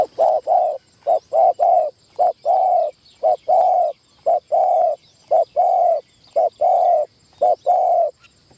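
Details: Decoy spotted dove on its first training session inside a trapping enclosure, cooing continuously: quick mellow hoots grouped into phrases of short notes and longer drawn-out coos, repeated almost without pause.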